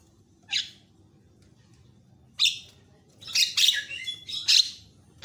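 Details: A Javan myna in a varied lure recording meant to provoke other mynas gives harsh, scratchy squawks and chattering notes in uneven bursts, growing busier toward the end, over a faint low hum.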